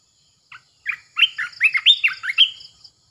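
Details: Red-eyed bulbul used as a decoy, singing clearly and close: one brief note, then a tumbling phrase of rich, bubbling whistled notes that sweep up and down, ending in a soft trailing whistle.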